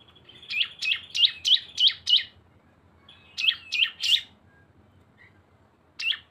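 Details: Cisem song as a lure mixing two birds: rapid series of six high, sharp chirps, a pause, then three more and a single final note, over a thin whistled trill.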